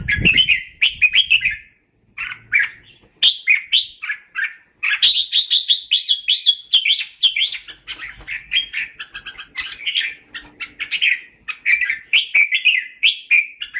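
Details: Red-whiskered bulbul singing to call its flock: a lively run of bright, warbling whistled phrases, rich and slurred, delivered in quick bursts with short pauses, growing fuller and more continuous toward the end.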